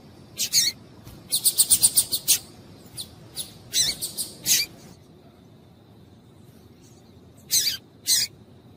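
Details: Female double-collared seedeater calling to stimulate males to sing: a rapid, even series of about eight high chips, then scattered single and paired chirps, a pause, and two final sharp notes.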